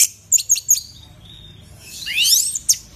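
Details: Orange-headed thrush, a loud-voiced fighter songbird, singing in a recording played to coax other birds into song: three quick high sharp notes, a thin level whistle, then a rising burst of bright twittering sweeps and one final sharp note.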